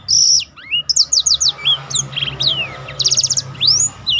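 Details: Black-throated canary in full song, used to provoke other birds into singing and for training: rapid high whistled slurs, trills and rising sweeps packed densely, with a short buzzy rattle near the end.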